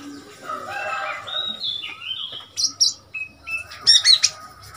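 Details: Oriental magpie-robin in Thailand, a wild bird come to a cage, recorded 15 February 2021: smooth whistled notes gliding between mid and high pitches, followed by sharp, scratchy high chirps in quick bursts near the end.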